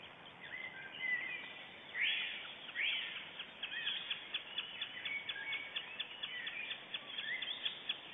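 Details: White-tailed eagles at an Estonian nest camera at 06:57 on 9 April 2010, during an incubation shift change, give high, yelping calls: two drawn-out cries, then a quick run of sharp, repeated notes, over steady background hiss.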